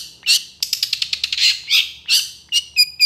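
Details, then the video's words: Long-tailed shrike song with long, energetic bursts: harsh, scratchy bursts, a rapid run of about eight chattering notes, then higher, clearer whistled phrases toward the end. "SUARA PENTET GACOR DOR EMOSI TEMBAKAN PANJANG"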